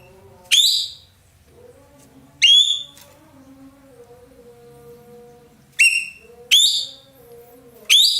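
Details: Indonesian ekek keling, a roller kept as a tutor bird, delivering a few loud, rough falling notes separated by pauses of one to three seconds, with gentle background whistles from other birds between them.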